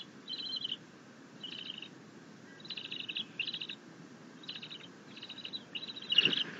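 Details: Bald eagle eaglet, self-feeding on a rabbit as its mother brings a fish, dated 6.9.21, chittering happily: about seven quick bursts of high, rapid, stuttering notes, with a louder knock near the end.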